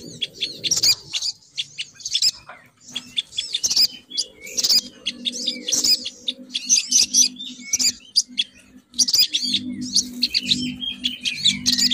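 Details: Female crimson sunbird call used as a lure to draw males down: bursts of sharp, high chirps and twitters repeated every second or so, with a faint low hum underneath.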